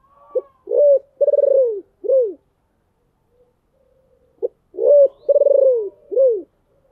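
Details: Deep-voiced decoy spotted dove calling to lure wild doves: two phrases about four seconds apart, each a short note, a rising coo, a long pulsed, rolling coo and a falling arched coo, low and hollow, with a quiet background.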